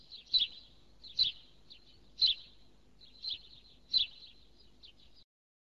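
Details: A house sparrow cheeping: five strong, abrupt chirps about a second apart with quieter notes in between, ending in silence.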